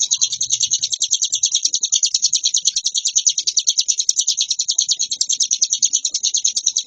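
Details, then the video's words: Nonstop varied song of a hill prinia, a continuous high-pitched chatter of quick, evenly pulsing notes sustained without a break through the whole stretch. "Suara burung Ciblek gunung gacor variasi ciamik ngebren nonstop"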